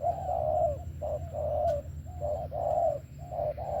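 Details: Spotted dove singing 'thổ' style with 'tàng': long, full coos alternating with short clipped ones in a swaying rhythm, low hum behind.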